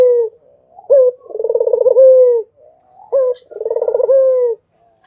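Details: Steady Barbary dove cooing: each phrase opens with a crisp short note, then a throbbing trill-like coo and a smooth drawn-out ending. Two phrases, with near silence between them.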